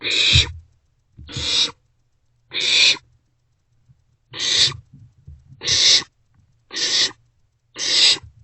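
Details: Barn owlets in a box at night passing a vole back and forth, March 2024; seven hoarse, hissing screeches with irregular gaps, mixed with low thuds of movement in the nest.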